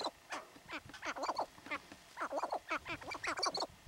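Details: Sharp-tailed grouse being territorial in Theodore Roosevelt National Park, North Unit, North Dakota, 2017: rapid cackling, chattering notes in quick bursts, several closely overlapping callers, almost no pause across the clip.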